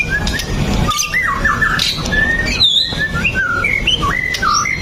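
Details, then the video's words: White-rumped shama song used as a lure to prompt other shamas to sing: clear whistled phrases that slide and jump between notes, some rising sharply, over a steady low rumbling background. "PANCINGAN MURAI BATU LANGSUNG BUNYI 100% GACOR TANPA HENTI"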